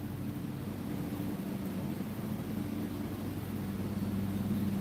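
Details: Steady engine drone with a low rumbling hum and broadband rushing noise throughout, no animal voices heard.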